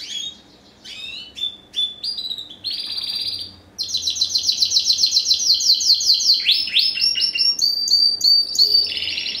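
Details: Spanish Timbrado crossed with a wild-type canary, first generation bred 2015: softer separated phrases lead into a loud, long rolling trill of rapid notes, then varied chirping tours.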